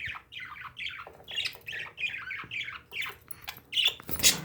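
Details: Indoor pet parakeets chatter in quick repeated squawks, more than two per second, each a scratchy dipping note, ending in a loud broad burst of noise.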